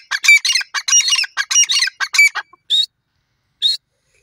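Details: Grey francolin pair calling: a dense burst of harsh, squawking, ringing phrases in quick succession, followed by two separate high, strained notes after a pause.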